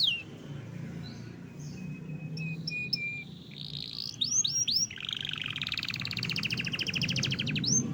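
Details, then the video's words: Caged canary in Indonesia singing energetically after being left during a holiday journey: thin whistles, rising swept notes, then a long buzzy rapid trill, with low background hum throughout. "gacor dar der dor"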